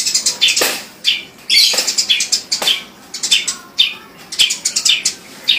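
A sparrow gives loud, sharp chirps in quick irregular bursts, many notes a second, high-pitched and insistent, with little else heard.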